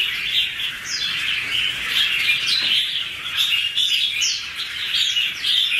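Two red-whiskered bulbuls trade bright, bubbly whistled phrases, with quick rising and falling notes over a steady high-pitched hiss.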